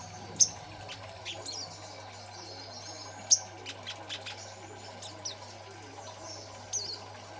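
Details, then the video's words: Young green-plumaged crimson sunbird in lively ngeriwik singing, used as a master recording to lure and train other birds; sharp, very high, thin chirps spaced about three seconds apart, with softer faint twitters between them over a steady low hum. "Masteran Sogon Muda Ijoan Gacor Ngeriwik, Pancingan Sogon Bahan Agar Bunyi"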